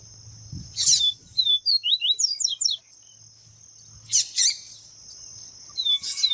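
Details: Female double-collared seedeater calling to excite and warm up males for singing, giving quick, high, slurred chips and twitters in short bursts over a steady high insect-like whine.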